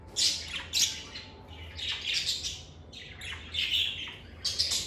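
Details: Pet lovebirds give repeated harsh, high squawks and chirps in quick succession, some overlapping, with barely any pause between them.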